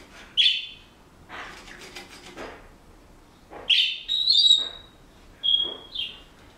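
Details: Indoor pet Senegal parrot, which is learning a song and mimics household noises, gives a sharp chirp, a raspy scratchy burst, then a cluster of high whistled notes and two clean steady whistles near the end.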